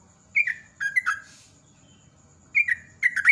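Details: Yellow-vented bulbul, recorded as a lure to set other birds singing, delivering short warbling whistled notes in two clusters, each dropping in pitch, against a soft background hum.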